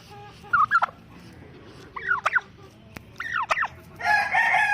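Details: An angry tom turkey gives three short, strained, wavering calls about a second apart, followed by a burst of harsh broadband noise at the end.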